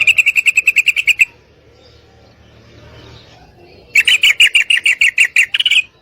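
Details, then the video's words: Female yellow-vented bulbul giving her mating call to a male: a long, fast chatter of sharp repeated notes, a pause with faint low background hum, then another lively burst of chattering. "Trucukan Betina Gacor Memanggil Pejantan"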